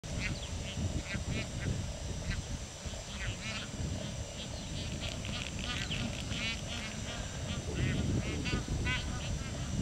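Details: A flock of bar-headed geese feeding on marshy grassland near cultivation just outside Kaziranga National Park, Assam, India, gives nasal, honking calls, several overlapping each second, over a steady low rumble of wind.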